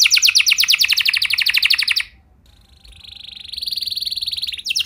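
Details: Canary in 'luxurious song' meant to set other canaries singing: a fast bright trill, a short gap, then a softer, sustained rolling buzz that grows louder.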